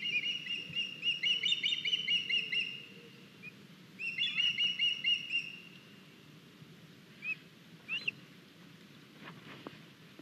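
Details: Young ospreys at an Estonian nest on 9 August 2021, as one youngster arrives with a big fish, filmed by a live nest camera: two bursts of rapid, high whistled chirping, then scattered single chirps over low background rumble.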